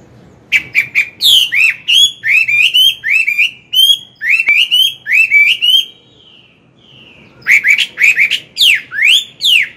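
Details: Chinese hwamei, an old wild-caught bird, in morning song used to train a young bird: loud, varied whistled phrases, repeated rising and falling notes in quick runs, a short pause, then sweeping whistles.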